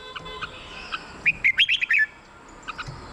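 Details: Red-whiskered bulbul song played to excite caged birds: a short burst of quick whistled notes near the middle, with fainter chirps before and after against a quiet background.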